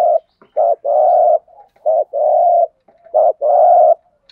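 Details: Spotted dove, a decoy bird cooing to lure wild doves: three low, mellow phrases, each a short coo followed by a longer drawn-out croo, with brief gaps between them.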